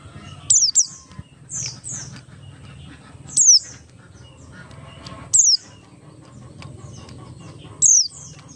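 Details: Oriental white-eye of the Buxtoni type, used as a lure to get other white-eyes singing: very high, thin, sharply descending notes about every two seconds over faint background noise.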